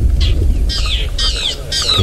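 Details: A Fork-tailed Drongo mobbing a leopard gives loud, rasping alarm notes, repeated about twice a second, over a low rumble, in the Sabi Sands or Masai Mara at sunset.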